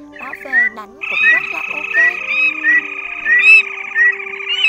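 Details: Red-legged crake male and female flock-calling recording used for night netting of migrating birds, 2023 season: a dense, nasal, buzzy drone with sharp upslurred notes repeated about every half second, over faint low steady tones.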